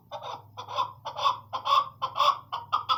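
Chukar partridge giving a rapid run of harsh, clucking chuk notes, about two per second, each a short rasping burst, over a faint low hum.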